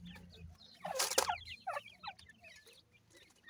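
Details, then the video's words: Several captive-raised Irani teetar (francolin) chicks peep in quick wavering notes after a loud rustling burst, then fall quieter; low hum underneath. "desi irani teetar bird chicks"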